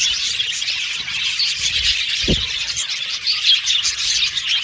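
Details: An aviary of budgies twitters and chirps without stopping, a thick layer of high calls, broken only by a single soft low thump midway.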